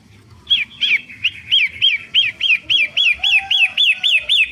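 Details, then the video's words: Long-tailed shrike, recorded as a lure to draw the bird in: a clear arched note rising then falling, repeated about three times a second in a steady run, with faint low background noise. "Pentet matahari√pancingan burung loss"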